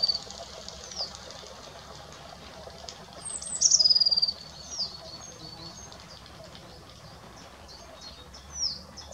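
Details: Great crested grebe at the Ammersee giving thin, high piping notes, with one quick rattling burst midway and a few short downslurred whistles, over a low steady outdoor rumble.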